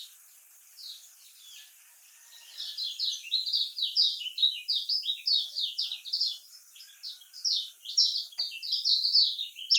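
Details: Lemon-bellied white-eye singing in the Lombok style, used to coax silent birds into song: after a quiet start, a long run of quick, high, scratchy chirps and warbled notes at a steady fast pace, with faint background hiss.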